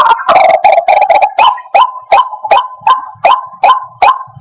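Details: Lure call of a white-breasted waterhen for trapping birds, starting with hurried overlapping croaks, then steady loud clucking notes roughly three times a second, each bending upward at the end.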